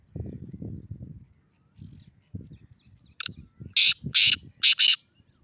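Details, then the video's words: Black francolin calling from the top of a rock: after low rumbling background noise, a harsh, grating phrase of about five loud, rasping bursts arrives in quick succession near the end. "Kala Teetar Awazl Teetar Ki Awaz Black Teetar Calling Top Of Rock"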